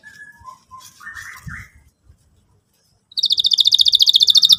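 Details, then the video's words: Canary song played to teach young canaries to sing. Soft, lower warbling notes and faint background sounds come first, then a quiet gap, then a loud, fast, steady high trill of about twenty pulses. "pancingan burung kenari gacor cuit cuit emosi, kesukaan kenari muda belajar bunyi"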